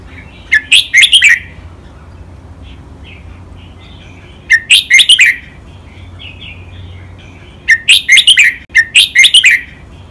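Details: Caged red-whiskered bulbul singing a training song in the Thai doubled, counted-phrase master style called lak wai. Three bursts of clear, bubbly, warbled notes, each about a second long and spaced several seconds apart, in a quiet background.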